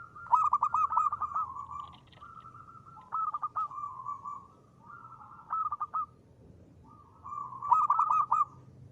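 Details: Loud local zebra dove song for luring: four phrases of soft rolling coos, each with a cluster of fast staccato notes, separated by brief pauses.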